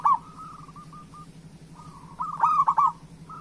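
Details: A local zebra dove, recorded to encourage other doves to sing. A loud bubbling coo opens, then a soft, fast run of short cooing notes, then a second strong, stuttering phrase of several quick notes.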